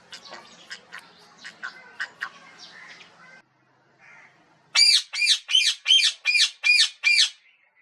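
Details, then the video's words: Parrot calls: faint chattering and clicks at first, a short pause, then a loud series of eight harsh squawks repeated at a steady pace of about two or three per second. "Beautiful Parrot natural sounds & whistling voice || Parrot calls ki awaz"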